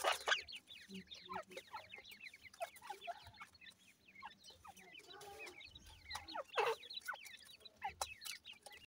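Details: Many desi Irani teetar (francolin) chicks being raised call together in a steady stream of thin, quickly bending peeps, nearly continuous across the stretch, with sporadic clicks and bumps.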